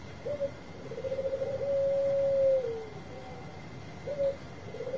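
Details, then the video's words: Bangkok-type zebra dove song, played to prompt reluctant birds: quieter and more distant, with short coos, a rolling purr, and one long steady whistled coo that falls away, followed by a further coo and trill. A faint high hum underlies it. "Suara Besar Perkutut Bangkok Gacor Obat Pancinga yang lagi Males Bunyi"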